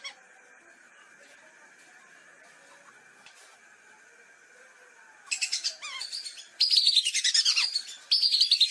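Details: Lesser whistling duck (Dendrocygna javanica) lure recording for hunting: after five quiet seconds with a faint steady hum, a rapid run of shrill, high, falling whistles bursts out in loud overlapping volleys.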